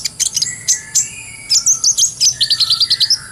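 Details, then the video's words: Kolibri ninja (brown-throated sunbird) gacor song with clear voice, meant as a training lure; loud high chirps followed by a fast, rhythmic string of rising-falling twittered notes, around eight per second toward the end. "MASTERAN KOLIBRI NINJA (KONIN) SANGAT COCOK BUAT ISIAN FULL NGOBRA,GACOR,SUARA JERNIH"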